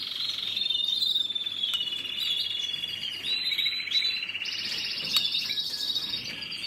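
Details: Canary singing long sustained rolling trills and whistled tours that shift in pitch, followed by a fast high buzzy trill, all in one continuous high-pitched flow.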